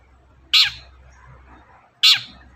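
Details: Two loud, raspy, downslurred notes about one and a half seconds apart from a long-tailed shrike, a sound played to stir other birds into song; soft low hum behind.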